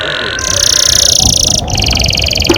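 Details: Canary's long rolling song (ngerol panjang), a lure for young canaries to learn singing: a sustained, very high, fast shimmering trill that abruptly drops into a slightly lower rolling trill.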